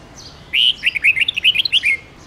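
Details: Red-whiskered bulbul in a long forest-style song used to train juveniles: one drawn-out whistle followed by a rapid, bubbling string of about ten short warbled notes, lively and fluid.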